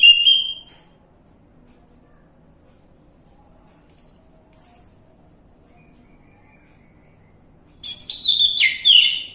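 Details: Orange-headed thrush lure recording to prompt a bird to sing: a short opening whistle, a few thin high notes in the middle, then a loud, fast, jumbled warbling phrase at the end.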